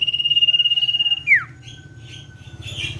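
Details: Common iora in full trilling 'ngetir' song, a lure recording. A sustained pulsed whistle breaks into a sharp descending slur, followed by soft scattered chirps.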